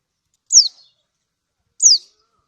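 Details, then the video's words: Two bright, high-pitched 'ciak' calls from a female lemon-bellied white-eye (kecial kuning) of Lombok calling a male, each note dropping sharply in pitch, about a second and a half apart. "Ciak burung Kecial Kunin Lombok ini Efektif Untuk yang Lain Supaya Bunyi"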